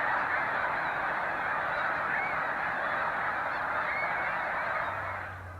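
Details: A great flock of Snow Geese rising at sunrise in Canada on 26 April, flying from the water to feed in fields; dense overlapping honking that fades slightly toward the end.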